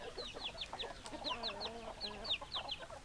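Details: Chickens, hens and roosters: clear high peeps falling in pitch, about three or four per second. Low, wavering clucks run underneath.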